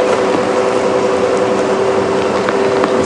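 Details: A steady vehicle engine hum with a constant mechanical tone during a morning safari drive, and no animal voices.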